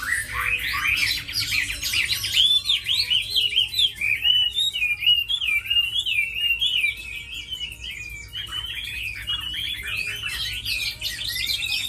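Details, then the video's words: Tamed, caged Chinese hwamei, kept as a strong fighter and fine singer, pouring out a loud, fast, varied warbling song of clear whistled notes that rise and fall in quick runs, with brief pauses between phrases. "Mi thuần đấu tốt hót hay"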